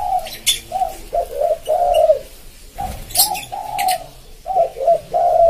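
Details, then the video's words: Spotted dove song, recorded to attract wild birds: steady phrases of hollow, mellow coos in twos and threes, with occasional faint chirps and clicks in the background. "Suara Tekukur buat pancing burung liar (koleksi) / suara pancingan burung tekukur"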